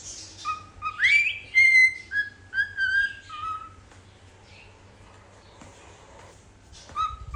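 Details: Cockatiel kept as a pet, whistling in search of its companion: a burst of flat and upward-sliding whistled notes over about four seconds, then near silence with faint rustling and one final short whistle.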